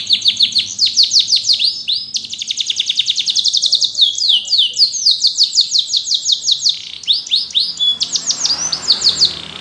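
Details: Yellow canary singing: long varied song of rapid repeated high syllables, sweeping down-slurred notes, then fast trills and buzzy rolls, with brief pauses between phrases.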